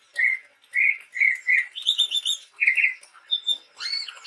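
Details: Chestnut-rumped babbler (tepus tunggir merah), a male Sumatran forest bird singing actively; the recording is used as a lure for other birds. Clear, full chirped notes repeat in quick bursts, shifting to a higher, buzzier run midway, then rising chirps close the phrase.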